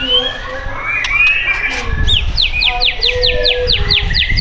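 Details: White-rumped shama held in a cage at a shop in Tangerang Selatan, Indonesia: mixed whistles with some background murmur, then a rapid series of sharp, downslurred notes repeated several times a second.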